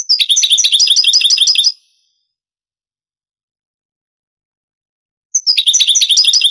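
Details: Goldfinch song of the Granada style from a 1980s–90s Spanish tape transferred to CD: a fast run of bright, jingling high notes, several seconds of silence, then another similar rapid twittering phrase begins.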